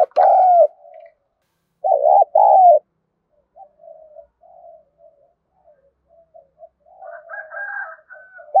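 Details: Spotted dove calling to train decoy birds, in thúc gù style. A loud opening coo is followed by a paired double coo, then quieter trailing murmured coos and faint higher notes near the end.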